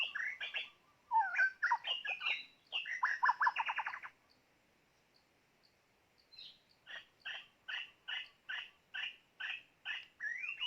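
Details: Decoy white-rumped shama used to lure wild birds, delivering a loud, rich tumble of mixed whistles and rattling notes, a pause, then a steady series of sharp repeated notes about twice a second.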